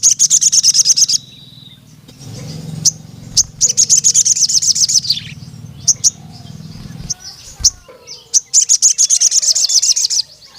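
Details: Crimson sunbird known locally as sogon, calling to a rival male: three long rattling bursts of rapid high-pitched ticking chips, with sparse single chirps in between over a humming low background.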